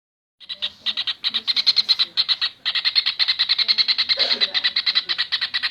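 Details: Kingfisher in a masteran recording, used to train cage birds: a fast run of harsh, rasping notes, several per second, in short uneven bursts with brief pauses, over a faint low hum.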